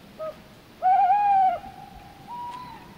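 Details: A tawny owl on the Iberian Peninsula at night gives its deep, melodic hoot: a short soft note, a pause, then a long, full, slightly wavering hoo trailing into a fainter, quavering tail over a quiet hiss.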